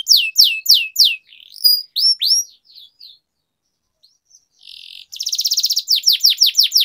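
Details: Canary singing for training young birds: descending whistles, rising upslurred notes and soft twitters, a pause, then a short buzz and a fast rolling trill with sweeping notes.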